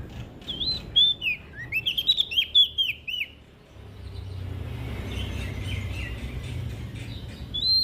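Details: Lively olive-backed tailorbird song from West Nusa Tenggara, Indonesia, used as a singing prompt for reluctant birds: a quick burst of sharp, falling chirps, then quieter distant notes over hiss.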